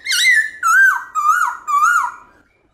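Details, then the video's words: Morning forest-voice song from a Black-throated laughingthrush, switching voices: four full whistled phrases in a row, each a wavering whistle that dips at its end. No other sounds intrude. "Khướu Bạc Má Hót Giọng Rừng ĐẢO GIỌNG Buổi Sáng"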